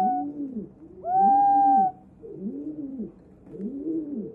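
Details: A rescued, flightless White-bellied green pigeon (Treron sieboldii) in care in Yokohama, thought male from reddish wings, sings low, hollow, flute-like rising and falling notes about once a second, broken by a longer, higher whistle.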